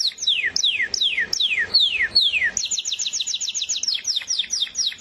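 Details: Canary song: a series of long downward-slurred whistles repeated roughly every third of a second, switching to a rapid run of short rising-falling notes.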